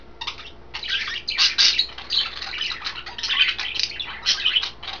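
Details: Pet budgerigars, three birds in green, blue and white, feeding on kale; after a brief quiet start, steady overlapping chirps and scratchy warbles with short squeaky highlights.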